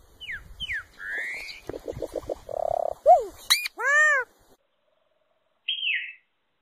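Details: Solitary cacique song mixing falling slurs, a rising whistle, pulsed rattling notes and a nasal buzz, then sharp chips, a loud ringing arched note and a final drawn-out descending whistle.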